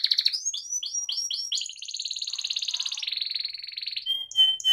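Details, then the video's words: Canary in ngerol rolling-song style opens with a few rising chirps, then runs a long, fast, even trill. It ends with a clear high whistle and brief sharp notes. "kenari AF ngerol"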